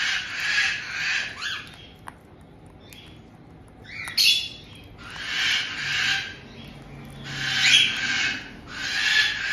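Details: In a multi-bird home in Tokachi, Hokkaido, Japan, a resident caique pair welcomes a new two-month-old white-bellied caique, June 2023. Loud, grating, broadband screeches repeat in bursts of about a second, separated by short pauses and a few thin chirps.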